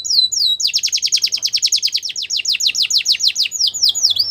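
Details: Gloster canary delivering a long, loud rapid trill of repeated descending notes, opened and closed by slower slurred whistles.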